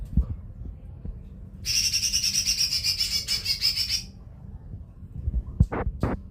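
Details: Single sustained trill from a lesser green leafbird (cucak ijo mini): fast, harsh, evenly pulsed notes held at one high pitch for over two seconds, followed by a few sharp clicks and low rumbling background.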